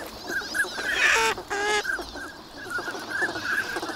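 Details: At Lake Inawashiro's Nagahama shore, wintering ducks call on a fine morning while swans arrive. High whistled duck notes are broken by two loud, drawn-out honking calls, rich and nasal, before the duck whistles resume.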